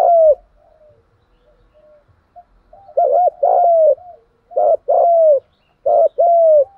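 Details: Spotted dove urging and calling voice for training decoy birds: after a lone falling note, three evenly spaced phrases of a short arched coo and a longer downward-sliding coo.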